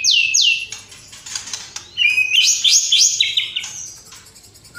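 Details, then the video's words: White-rumped shama singing a lively fill-packed song: two sharp downslurred whistles open, then a scratchy pause, then a dense run of rapid, stepped high whistles and chattering trills. "MURAI GACOR BONGKAR ISIAN !!! MURAI BATU ISIAN MEWAH FULL TEMBAKAN"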